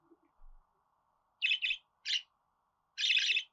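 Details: A few harsh, bright budgerigar chirps, the last one drawn out into a longer scratchy note, over a steady faint hum.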